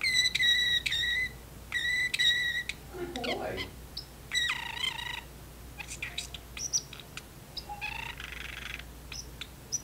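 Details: Pet parrotlet in a cage talking back and forth with its owner in a kitchen; ringing harmonic whistled phrases at first, then a low clatter and softer scattered squeaks and chirps.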